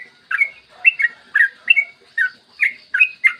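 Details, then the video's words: Yellow-vented bulbul singing a long, fast, clear song in the morning, meant to prompt other bulbuls to sing: roughly nine bright gurgling notes with little slurred flourishes, delivered in a steady bouncing stream. "Masteran trucukan gacor ropel panjang cocok buat pancingan trucukan agar cepat bunyi dan ropel"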